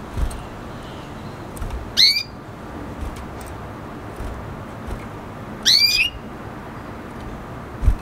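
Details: Red hooded siskin crossed with canary, singing two separated buzzy rising whistles with bright overtones, nearly four seconds apart, amid faint clicks and low hum.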